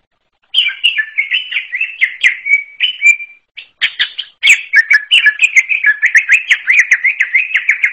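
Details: A forest greater green leafbird (cucak ijo alas) sings an unusual song, a long string of fast, choppy whistles and twitters. After a brief gap the song picks up again, denser and more rhythmic, with quick repeated wavering notes.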